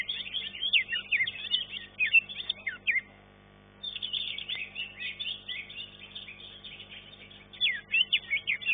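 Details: Greater green leafbird (cucak ijo) competing in a caged-bird singing contest: rapid, varied high whistles and chattering trills in dense bursts, pausing near the third second before resuming with strong repeated notes.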